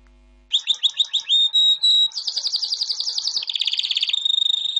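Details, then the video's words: Champion albino canary with white plumage singing a fast sequence: quick repeated chirps, sustained high whistles, then buzzy rolling trills that change tempo and pitch, all high and continuous. "White Canary Singing (Albino)"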